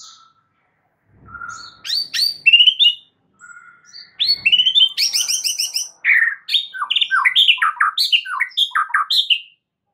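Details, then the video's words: Masteran song of the white-rumped shama for stressed birds: soft scattered whistles build to loud rising notes, a fast high rattling trill, then a string of varied sweeping whistled phrases and chatters, clean and steady. "MASTERAN untuk Murai Batu Stress"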